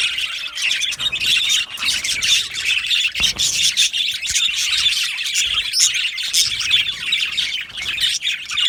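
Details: Yellow male Australian budgerigars chirping together in a colony, a dense, continuous high chatter of overlapping twittering and warbling notes with short squawks, with no other sounds standing out.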